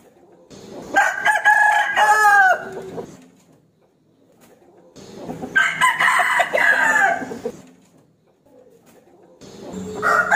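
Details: Rooster crowing to challenge a rival to fight: two long harmonic crows roughly three seconds apart, each about two seconds, loud and hoarse with a falling end, a third crow starting at the close.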